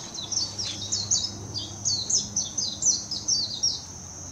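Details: High, fast warbling from a Warbling white-eye in Hashimoto, Wakayama Prefecture, Japan, on 26 June 2021, Nikon Coolpix P900: closely packed, bright, thin notes that dip and rise, run together in an energetic twittering phrase lasting about four seconds.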